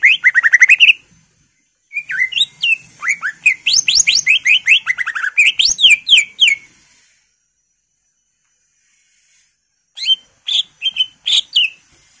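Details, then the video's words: Greater green leafbird in full, loud song: dense rapid strings of sweeping whistled notes and buzzy trills lasting several seconds, a pause, then shorter chattering phrases. "PANCINGAN CUCAK IJO GACOR FULL ISIAN/ CUCAK IJO Gacor"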